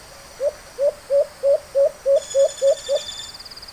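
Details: A male White-eared brown dove, used as a decoy on a dove hunt, gives a quick run of nine low, hooked hoots, about three a second; a high insect buzz joins near the end.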